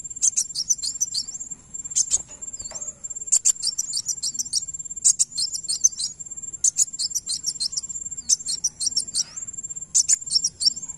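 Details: Van Hasselt's sunbird song used as playback to make another bird answer: very high, rapid chipping trills in short bursts separated by brief pauses, over a steady thin high-pitched whine that runs throughout.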